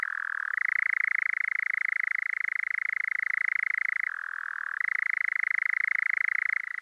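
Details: Male European Nightjar churring on heathland in the evening as the sun goes down: a dry, rapid, unbroken trill switching between lower and higher pitch every few seconds.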